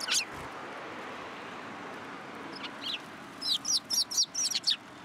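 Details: Sparrows flocking onto a hand for food at Tenmangu shrine on 12 December 2022: an early sharp chirp, then a quick run of about eight high, downslurred chirps toward the end.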